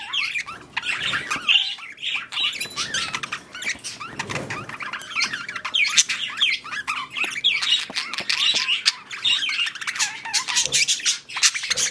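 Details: Budgerigars during mating and breeding: dense, continuous warbling chatter of quick chirps and rising and falling whistled notes, with sharp clicks scattered throughout and a brief low rumble near the middle.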